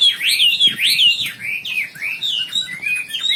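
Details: Wambi bird in full, lively song, used as a song tutor: a steady stream of loud, looping whistled phrases that swoop up and down, with sharp high chirps woven in and no pauses.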